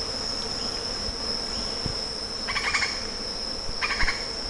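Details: Two bursts of quick, chattering, rattled notes from a lettered aracari, a pause between them, over a continuous high-pitched insect hum.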